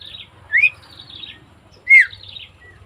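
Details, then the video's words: Javan myna recorded on 20 May 2024, giving two loud, rising whistled notes about 1.4 seconds apart, each followed by a buzzy, scratchy high trill, with a faint low hum behind. "Suara Burung Jalak Kebo"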